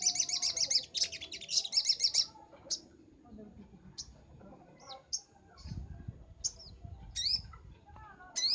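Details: Sunbird in energetic 'nembak' song on a master recording for training birds: a fast, buzzy high trill in two bursts, then scattered thin upslurred chirps over a faint low rumble.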